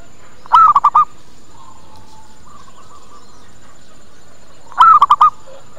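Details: Lure call of a zebra dove meant to bring other doves in and make them reply; two bubbling coo phrases about four seconds apart, a drawn-out first note then three quick rolled notes, quiet between.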